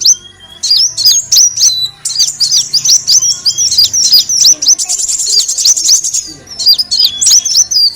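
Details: Lure recording of the kolibri wulung sunbird: rapid high chirps with swooping inflections, building into a dense buzzing trill midway before spaced chirps resume.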